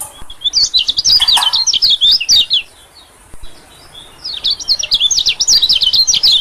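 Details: White-eye lure call for attracting small birds: two bursts of fast, high, squeaky chattering notes, separated by a pause of roughly a second and a half.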